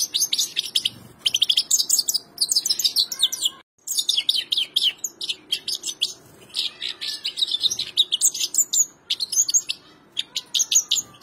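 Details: Continuous goldfinch song: rapid tinkling twitters and buzzy trilled notes pour out in bursts, broken by one short silence near the middle, over a quiet steady background hum.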